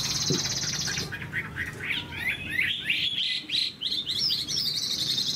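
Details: Chinese hwamei (Garrulax canorus), a large, long-caged bird that is moulting yet singing strongly. It gives a loud, rich run of high whistles and slurred rising and falling phrases, fast and varied, over a faint low background hum.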